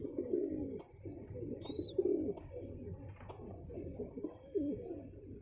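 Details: Pigeon chicks being fed by adult pigeons: soft low muffled churring and cooing sounds under repeated short high wavering squeaks, roughly one every second.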